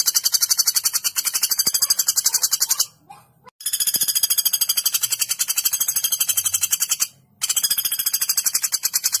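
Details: Common flameback giving a fast, harsh, high-pitched, sharp and long rattling trill in continuous runs, broken by two brief pauses; nothing else stands out.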